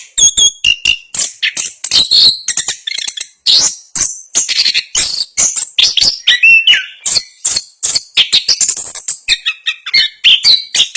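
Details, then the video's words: National champion Orange-headed thrush delivering its fast, tightly packed ngerol song: a nonstop stream of sharp high chirps, quick twitters and short falling whistles, varied from phrase to phrase. "Anis Kembang Gacor Ngerol Speed Rapat. Suara Kicauan burung Anis Kembang Juara Nasional"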